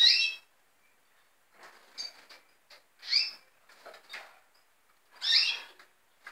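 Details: Red siskins calling: three rich, twangy calls spread over six seconds, interspersed with softer scratchy notes.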